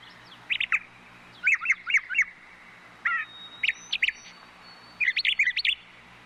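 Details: Brown thrushes singing: short bursts of rapid chirps and twittering notes, grouped in clusters about a second apart, with a thin drawn-out whistle near the middle and a steady low hum underneath.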